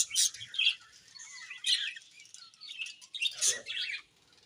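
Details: Budgerigar chirps in separate bursts, sharp squeaky notes and short buzzy warbles spaced by quiet gaps of about a second.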